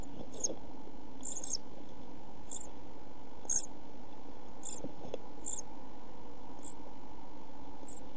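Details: Pied flycatcher chicks in a nest box on 27 June 2013, during food shortage and heat that killed the smallest chick, give very high, thin squeaky begging calls in short bursts about once a second, over a steady low hum.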